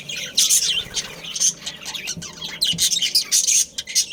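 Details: Budgerigars in a breeding colony chatter constantly. High twittering notes and thin whistles overlap in quick bursts, with faint low knocks in the background.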